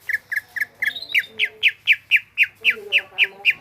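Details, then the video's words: Greater green leafbird (cucak ijo) in lively full song: short clipped whistles give way to louder downslurred notes repeated steadily about four per second. "BURUNG CUCAK IJO GROPYOKAN GACOR"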